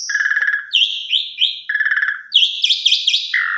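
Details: Vigorous Asian pied starling song, played as a lure so that less active starlings start singing. Buzzy, pulsed notes alternate between lower and higher pitches, interspersed with nasal rising chirps.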